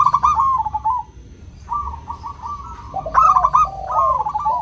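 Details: Local zebra dove song with crystal voice, intended to make hard-to-sing doves start: a trilled coo phrase trailing off, a softer beaded series, then a loud stuttered burst with overlapping lower notes.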